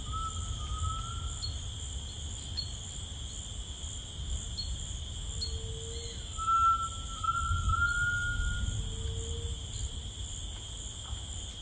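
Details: Grey tinamou singing in rainforest: a pure, slightly rising whistle early on and a longer tremulous whistled phrase later, with lower soft whistles in between and a steady high insect drone throughout.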